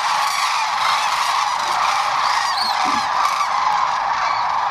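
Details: Many sandhill cranes calling together at dusk on the Platte River near Gibbon, Nebraska, spring 2015, the roosting flock panicked by a hawk flying above. A continuous wall of rattling, trumpeting calls, with one brief higher whistle-like note midway.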